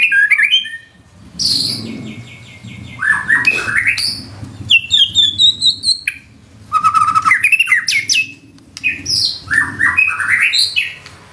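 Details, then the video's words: White-rumped shama singing in the gacor nembak style with isian fill-in phrases: loud bursts of varied whistles, sweeping slurs and rapid trills, set apart by short pauses, over a low background hum. "Murai batu nembak isian gacor"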